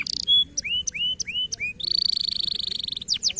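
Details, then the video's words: Local canary song with clear rising whistled slurs repeated evenly, then a long dense rattling trill and a few fast high downward sweeps. "Masteran Burung Kenari Lokal Agar Dapat Berbunyi Dan Gacor"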